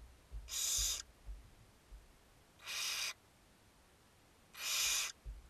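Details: Barn owls (Tyto alba) begging at feeding on a nest webcam, 02/06/2022: three long, harsh, rasping hisses, each about half a second, roughly every two seconds, faint low knocks between.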